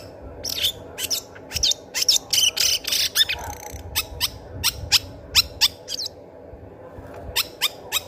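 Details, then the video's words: Long-tailed shrike in fast, excited song meant to attract other birds: a rapid series of harsh, scratchy bursts and short sharp clicks, repeated several times per second, with a brief pause midway, over steady low hum. "Cendet gacor cocok untuk pancingan cendet macet bunyi"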